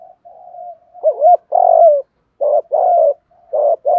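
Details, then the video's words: Spotted dove coo for goading wild doves. After a soft lead-in comes one double-humped note and a long falling coo, then a run of shorter, buzzy repeated coos. "tiếng chim cu gáy kích bổi"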